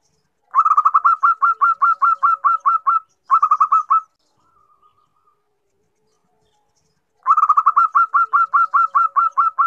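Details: A female zebra dove calls to a male with rapid runs of soft, staccato cooing notes, about five a second, in three bursts with short pauses between; it is used to lure males into responding.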